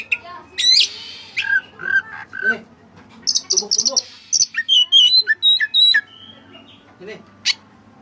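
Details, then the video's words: White-rumped shama with white breast, singing with Cililin-style fill: mixed low warbles and chattering notes, then high buzzy chips and clear whistled slides, one sharp note near the end, steady low hum behind. "Burung Kacer Gacor Isian Cililin"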